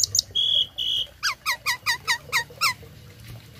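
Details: Tame Asian pied starling singing as a tutor for other songbirds: two long steady high whistles, then a series of about eight identical down-slurred notes repeated roughly every quarter second.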